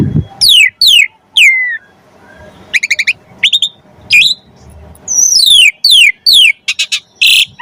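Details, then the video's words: Singing jalak suren, Asian pied starling, 'gacor' with full 'isian', played to coax other starlings into song: steeply falling whistles, bursts of quick clicking trills and a final harsh squeal, with gaps between phrases. "Jalak Suren Gacor Full Isian Pancingan Burung Jalak Agar Cepat Gacor"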